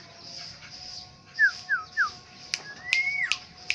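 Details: Black-naped oriole, a bird from Aceh, sounding three quick falling whistle notes followed by a drawn-out rising then dropping fluty whistle, with a few sharp clicks and a steady hum behind.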